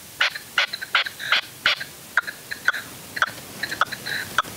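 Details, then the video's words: Caged red-legged partridge serving as a hunting decoy in upper Huelva, Spain, late January 2023, afternoon; a quick run of loud, rasping chuck notes, then softer, more spaced chirps, with hiss behind. "Perdiz con reclamo"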